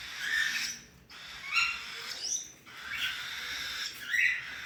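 Cockatiel chicks give harsh, raspy, hissing calls in repeated bursts about every second and a half.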